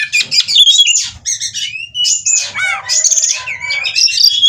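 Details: Oriental magpie-robin seeking a mate, 'ngobra' song of high whistles, squeaky chatter, a long level whistle and looping slurred notes, with a faint low hum in the background.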